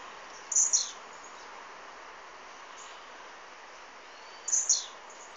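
A blue-black grassquit gives two short, very high, buzzy sneezing notes, about four seconds apart, over a steady background hiss.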